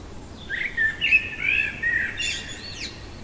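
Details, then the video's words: Nighttime song of a common blackbird: a rich, rolling fluted warble that finishes in a brief, sharp, high-pitched twittering squeak. "Merle chantant au cœur de la nuit"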